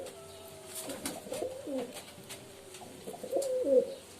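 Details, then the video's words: Low pigeon cooing in short rolling phrases, with a soft tonal hum and light tapping sounds in the background. "Pigeon Sound Effect 🦅 Pigeon Sound 🦅 কবুতরের ডাক"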